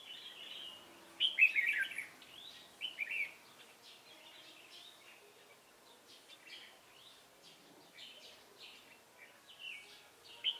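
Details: Red-whiskered bulbul during decoy trapping in Hòa Bình, 18 November 2017: loud liquid warbling phrases at first, then a run of softer quick chirped notes continuing throughout, with faint hiss.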